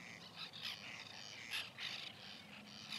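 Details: Harsh, grating calls of white-winged terns at their nesting colony, recorded in 2021; short scratchy bursts follow each other closely, several birds calling at once.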